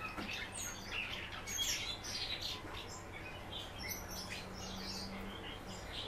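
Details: Captive common house martin kept indoors, coaxed to sing by its keeper: soft, dense chirping and twittering notes in quick irregular bursts, with a low steady hum in the background.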